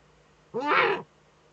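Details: Eurasian eagle-owl female at her nest niche, captured by a nest camera in northern Rhineland-Palatinate, Germany, 5 May 2013, while scratching. A single rough, hissing screech lasts about half a second, broad and raspy, over a faint steady hum.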